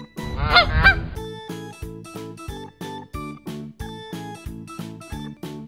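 A goose gives one loud, nasal, slightly wavering honk lasting under a second, followed by a steady, upbeat music track.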